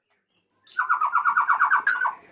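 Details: Male white-rumped shama calling the female: two short high notes, then a fast run of about a dozen identical bright, clipped notes repeated steadily, ending in a higher flourish.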